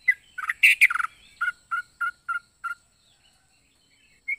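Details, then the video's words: Yellow-vented bulbul singing a quick tumble of rich warbled notes, then five clipped whistled notes spaced about a third of a second apart and a final high note after a pause. "Burung trucuk unik suara aneh"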